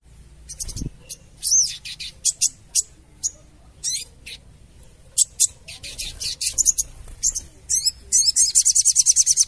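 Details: Sooty-headed bulbul chattering calls used as a lure for trapping birds: sharp, high chirps and buzzy notes in uneven bursts, speeding up at the end into a fast, steady rattling trill.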